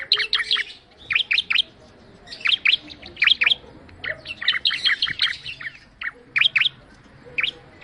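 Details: Ciblek, the bar-winged prinia, delivering rapid clusters of high, sharp chirps in quick bursts with short pauses between groups, loud and lively over a quiet background.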